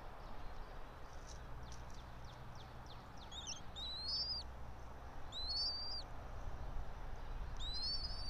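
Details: Bald eagle of a resident pair at a tall pine nest in Johnson City, Tennessee, early morning 04.03.2024; light ticks, then three loud, high, upslurred squealing whistles roughly 1.8 seconds apart over a low rumble.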